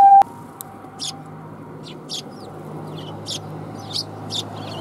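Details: Sparrows coming to be fed at a Tenmangu shrine on 1 January 2021: short bright chirps repeated about every half second over a low steady hum, with a loud knock at the very start.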